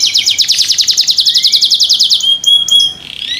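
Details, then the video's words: Pet canary singing a fast series of repeated downward-sliding chirps, about eight per second for two seconds, then thin high whistled notes and a brief pause; the song is loud and clear. "THE SOUND OF CANARIES CAN MAKE OTHER CANARIES JOIN TO SING"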